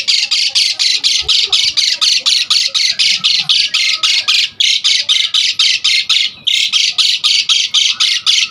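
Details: Asian pied starling singing vigorously, a lure and tutor recording for starlings: a long, steady run of loud, coarse squawking notes, about four each second, broken by two short gaps.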